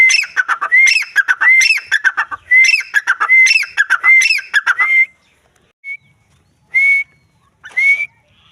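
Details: Female grey francolin (teetar, Dakhni teetar) calling: a rapid run of harsh, clipped notes mixed with bright rising whistles, repeated over five seconds, then three lone upward-sliding whistles separated by short pauses.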